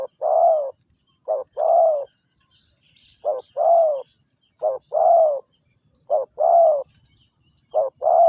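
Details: Spotted dove used as a lure, giving repeated cooing phrases: a short clipped coo, then a longer descending coo, the pair coming about every one and a half seconds with a thin steady whine in the background.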